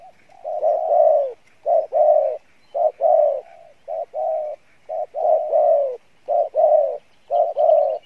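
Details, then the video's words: Cooing spotted dove, praised for good voice and decent cooing; soft low coos in short-then-long pairs repeated roughly once a second throughout, steady and rhythmic. "tốt Giọng , Gù khá"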